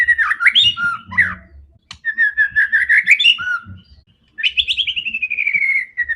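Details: Fierce white-rumped shama singing to challenge rival birds: jumbled chirps and warbles, then a sweet repeated whistle, ending in a fast descending trill of bright pulsed notes.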